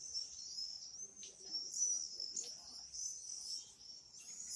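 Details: Common swifts giving an unbroken, shrill buzzing scream with whistled rising notes and slight pitch wobble, quiet surroundings.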